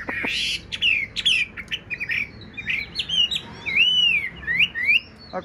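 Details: A tame Chinese hwamei singing in its cage, a large bird with a handsome face and blue eyes: harsh scratchy notes open into loud looping whistles and sweeping slurs, with short gaps between phrases.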